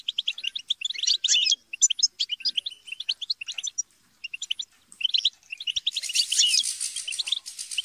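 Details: Goldfinches, European, chatter and squabble as a group to stimulate singing; quick twittering phrases give way after a short pause to a dense, harsh, buzzy flurry of overlapping calls.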